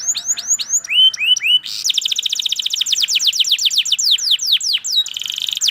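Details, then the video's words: Canary in long, energetic song: several high, downward-swept whistled notes repeated, then a fast, dense trill of rapid descending sweeps and a final buzzy rattle. "KENARI Gacor PANJANG Cuit Cuit EMOSI"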